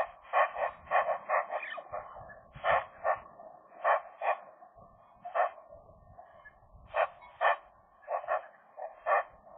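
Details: A young magpie pair voicing inside their nest in January, the female recently arrived in the territory: a continuous stream of rasping, chattering notes in quick irregular clusters throughout, with background hum.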